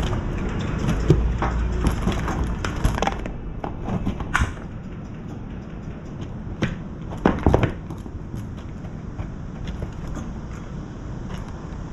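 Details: Low rumbling background noise with scattered knocks and thumps, and no animal voice.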